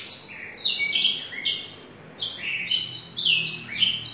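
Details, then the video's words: Canary trained on blackthroat song, delivering a fast, high-pitched warbling stream of rolling trills, buzzy bursts and quick descending notes with hardly a pause. "Kenari isian Full Blackthoart"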